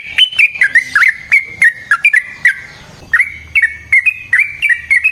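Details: Sooty-headed bulbul (trucukan) long song used as a lure and master for other birds: clear chirps and bubbling phrases in quick succession, one short pause midway, then the rapid notes resume.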